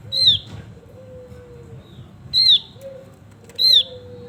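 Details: Male Javan grey-throated white-eye, in full song, repeats a clear, high, down-slurred whistle three times, with quiet low drawn-out tones beneath.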